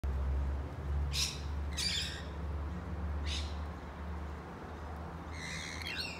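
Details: Rainbow lorikeet in Sydney, interrupted while eating a bottlebrush at lunchtime, gives four harsh, grating screeches, irregularly spaced over six seconds, over a steady low rumble of background noise.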